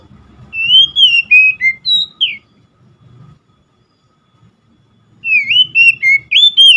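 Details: Song of an Oriental magpie-robin: a run of fluid whistled slides, some rising and some dropping, then silence before a second similar run of looping whistles, with a soft low hum beneath.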